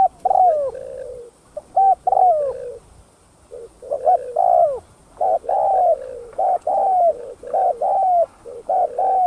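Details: Spotted dove cooing used to lure other doves: dense runs of hollow, mid-pitched coos with downward-curving endings, phrases repeated with brief gaps throughout, faint steady hiss behind.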